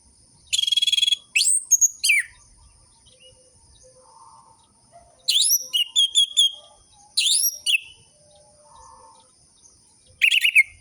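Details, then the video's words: Orange-headed thrush song for luring captive birds into singing: several separate phrases of buzzy trills, descending slurred whistles and sharp chips, with quiet gaps between them and faint softer notes in the background. "Pancingan burung anis merah macet dan malas bunyi"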